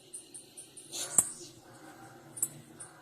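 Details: Calls of a female blue-black grassquit: a few short, faint, high-pitched chips spaced through the moment, with one louder sharp click and a soft breathy rush.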